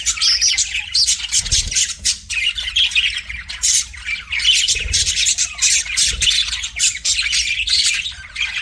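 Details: Pet budgerigar warbles at a mirror: rough, fast chatter of squawks and high chirps in uneven surges, with a few soft low thuds, likely the bird moving about the cage.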